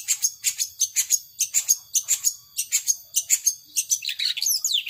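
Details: Power sobek song from a long-tailed shrike: a fast, evenly spaced series of bright, high chip notes, nearly two per second, that breaks into a tangle of twisting whistles at the end.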